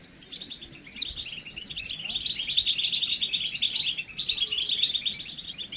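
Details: European goldfinches in chorus, a group recording meant to push males to sing; a few sharp high chirps open, then a long, loud, fast stream of tinkling twitters follows without pause.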